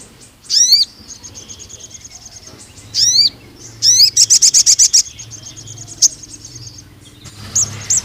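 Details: Crimson sunbird singing vigorously for training young males: squeaky descending phrases, a thin high sustained tone, a quick burst of sharp trilled notes and scattered high chips.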